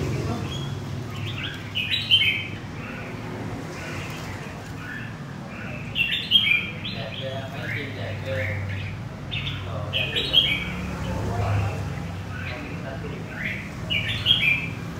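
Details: Red-whiskered bulbul, a wild-caught bird from central Vietnam, sings short bright chirping phrases that rise and fall, delivered in bursts every few seconds over about fifteen seconds, with a low steady hum and some voices beneath.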